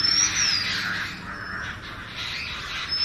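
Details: Short burst of Oriental magpie-robin song, a bright rising-and-falling whistle followed by fainter high notes, with busy bird chatter behind.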